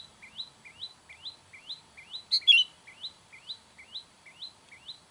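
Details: Sooty-headed bulbul, recorded to call in wild birds, gives a single loud harsh burst call midway, surrounded by a continuous run of short upswept chips repeated rapidly.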